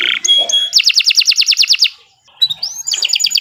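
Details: Canary singing long and continuously, a master recording for tutoring other birds and prompting silent ones. A buzzy burst and high whistles lead into a fast, even trill of bright repeated notes, then a brief hush and another quick high trill.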